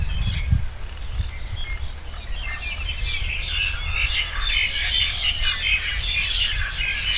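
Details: Many birds sing together on an organic farm where no chemicals were used for a year, a thick mix of high chirps and trills rising in the second half, with low rumbling noise and a thump near the start.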